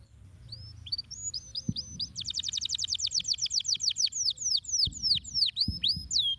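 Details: Canary song played to stimulate lazy canaries to sing: high whistled notes, then a long fast trill of repeated sweeping notes, then slower descending slurred whistles, with a few low knocks in the background.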